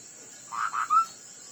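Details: Ground hwamei singing in a contest: two husky notes followed by a clear, slightly rising whistled note, set against a steady high hum.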